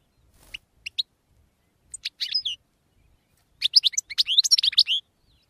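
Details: European goldfinch singing, 2016 recording: scattered single chirps at first, then a dense run of quick tinkling, twittering notes and slurred high whistles toward the end, no other sounds.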